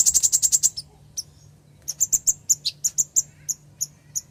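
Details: Calling female ruby-cheeked sunbird answering for a male: opens with a fast run of seven bright high chips, a pause, then evenly spaced sharp tinny notes about every third of a second, low hum behind.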